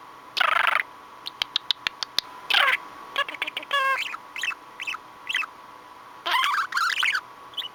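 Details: Pet male budgerigar, noted for mimicking speech, chatters while watching himself on camera: short buzzy bursts, rapid clicks and warbled notes sliding up and down, separated by brief pauses.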